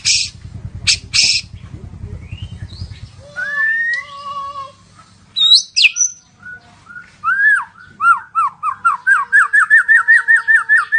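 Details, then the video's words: White-rumped shama singing a varied medley: loud harsh bursts, then clear whistled slurs and glides, ending in a fast series of rising whistled notes repeated many times per second. "Murai Batu Gacor"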